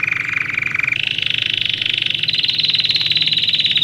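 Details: Song of a domestic canary used to train young birds, starting with a low rapid rolling trill, jumping to a higher buzzy trill, then climbing slightly into a steady high pulsing roll.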